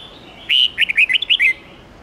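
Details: Red-whiskered bulbul, an old wild singer's bright 10-12-13 note song meant to train young birds. A single clear phrase: a drawn-out whistled note followed by five or six fast chirps slurring up and down.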